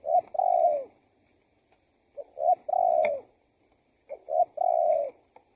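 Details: Spotted dove cooing meant to lure wild doves: three clear phrases, each a short note or two then a long mellow coo sliding down at its end, spaced roughly two seconds apart.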